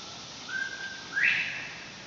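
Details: Captive male Northern bobwhite calling from his pen behind trees, in the countryside on a morning after overnight rain. A level whistled note is followed by a sharp, upward-sweeping whistle, over a steady hiss of insects.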